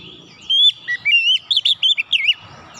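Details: Oriental magpie-robin singing a lure song to set other birds singing: a fast run of clear whistles, each note a quick up-and-down slur, about a dozen in under two seconds.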